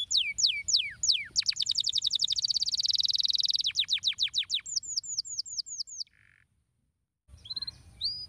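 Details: Canary song meant to stimulate other canaries to sing: quick descending whistled sweeps, then a fast, even, buzzy trill, more falling notes and a run of short upslurred whistles, a brief pause, then singing resumes over low background hum.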